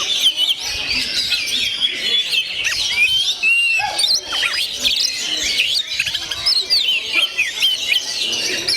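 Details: Continuous oriental magpie-robin song of busy, overlapping high-pitched chirps, trills and upslurred whistles, packed tightly together and sustained at steady loudness throughout.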